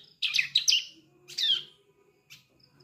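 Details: Young ciblek, the Sunda streaked-tit, still learning its song: two short bursts of high, scratchy, down-slurred twittering about a second apart, then a faint single chip.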